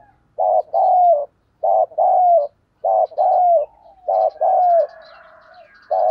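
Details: Spotted dove used as a decoy to call in wild doves, singing loudly and clearly; repeated two-part coos, a short note then a longer falling one, roughly every one and a half seconds.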